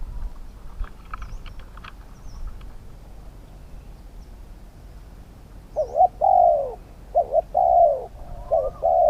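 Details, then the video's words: Spotted dove in a decoy-luring session for wild birds. Quiet rustling and scattered faint chirps at first, then in the final seconds loud coos start: two short notes and a longer falling note, repeated. "ต่อนกเขาใหญ่ ต่อเพนียดเถรเปือย กับเซต็ปนกป่าเสียงกลาง"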